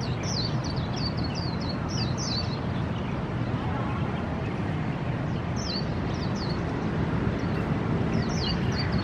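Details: In AIT Lohas Park, Taipei, a Swinhoe's white-eye gives brief clusters of high, thin, twisting notes separated by pauses, with a dull roar of road traffic beneath.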